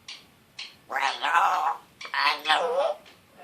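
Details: Pet African grey parrot, a one-year-old male, talking indoors in a still slightly scratchy voice: two drawn-out word-like phrases with a rising and falling tone.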